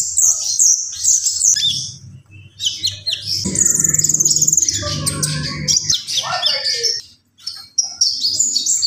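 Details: Common iora in full song, delivering very high, scratchy twittered phrases, then a descending slurred whistle near seven seconds and a short silence before the high chatter resumes; a low hum sits beneath.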